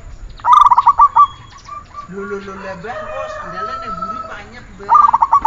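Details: Zebra dove (perkutut) song on a training recording. Quick coo phrases open and close the passage, with a stretch of other mixed tonal sounds between them.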